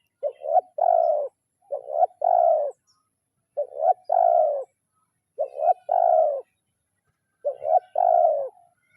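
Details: Spotted dove calling a rival in the kuk 0-1 training style: five evenly spaced phrases about every two seconds, each two quick stuttered notes then a longer, fuller coo falling slightly at the end.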